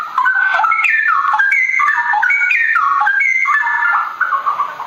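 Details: Straw-headed bulbul in full continuous song, a loud rolling stream of mellow whistled notes stepping up and down in quick repeated descending phrases for the whole stretch.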